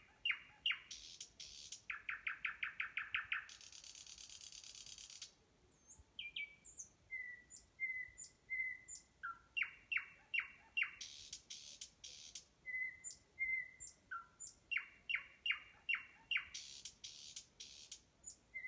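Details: Common nightingale singing very close and distinctly during mating displays, with varied phrases of rapid repeated notes, buzzy rattles and pure whistles.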